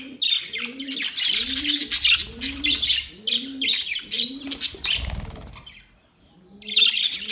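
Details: Budgerigars kept for sale chatter in busy, high chirps and warbles, with a dove's soft cooing below.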